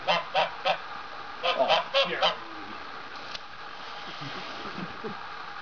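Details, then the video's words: Male domestic goose complaining while his owner collects an injured white duck he treats as his mate. A quick run of about eight loud, harsh, nasal honks fills the first two seconds, followed by quieter background sounds. "Goose Complaint"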